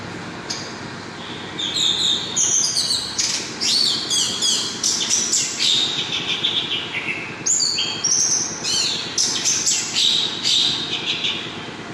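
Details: Orange-headed thrush singing hard and continuously: rapid, varied high phrases of chirps, whistles and descending slurs, delivered in dense bursts with a short pause midway, over faint low hum.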